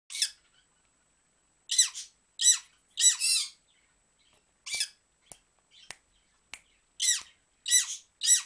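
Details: Pet dusky-headed conure kept indoors, dancing and making kissy noises. Harsh, raspy squawk bursts come in irregular groups, mixed with several sharp, short smacking clicks in a quiet small room.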